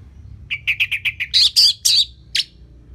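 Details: Orange-headed thrush singing to train other birds: six quick, evenly repeated whistled notes, then louder rich warbled phrases and a final sharp note.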